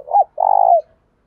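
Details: Lure spotted dove calling to encourage other doves to coo: a brief hollow note, a short pause, then a long, even, purring coo that slides down at its close.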